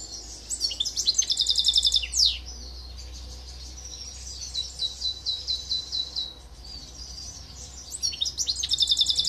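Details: Song of a silver goldfinch x canary mule, Greece, 2023: high rapid rattling trills alternate with a gentler chattering series of repeated twittering notes, then the fast trill returns, against a steady low background hum.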